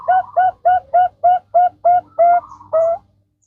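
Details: Zebra dove of the Bangkok type giving a lure song to prompt other birds to sing: about nine full, rounded coos in quick succession, the last two slightly longer, with a low hum beneath.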